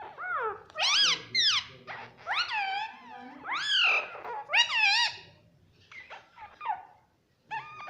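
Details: Talking pet Indian ringneck parakeet indoors, repeating a word-like phrase over and over in loud, strained, harmonic bursts with rising then falling pitch, fading to softer chatter near the end.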